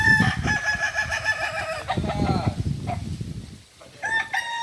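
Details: Kukuak Balenggek cocks during a joint training gathering in Ampang Kualo, Solok, giving drawn-out crows with a falling tail, a pause of low rumbling noise, then another crow rising at the end, with faint voices behind.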